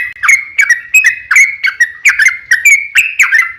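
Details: Trucuk lure song for drawing answers from other birds, a fast string of loud whistled notes with abrupt onsets and brief downward slurs, repeated evenly throughout.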